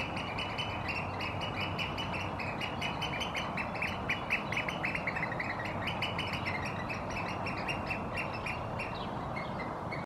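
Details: Competing Eurasian oystercatchers in a territorial interaction in Helsinki, Finland, April 2022, performing the piping display with necks stretched forward: loud, rapid, continuous shrill piping notes, several birds overlapping, fading toward the end.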